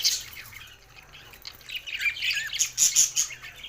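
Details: Budgie warbling, a soft string of high chirps and trills that grows louder and busier toward the end.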